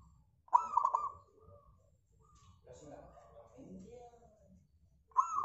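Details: A local zebra dove singing vigorously, used as a lure to set off other doves: short, bubbling, rolling mid-pitched coos, one burst at the start and another at the end, with softer murmuring coos between.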